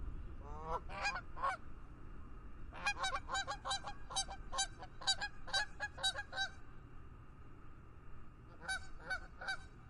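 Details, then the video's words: Flock of geese honking in the fog over a lake, with bursts of harsh, overlapping honks in rapid series, a long run in the middle, a pause, then a final short volley against quiet background hiss. "Geese Calling in the Fog"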